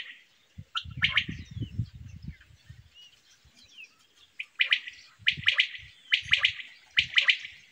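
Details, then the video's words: A quail gives sharp, liquid chirps in quick clusters of two or three notes, repeated about once a second, over low thumping noise early on. "quail sound"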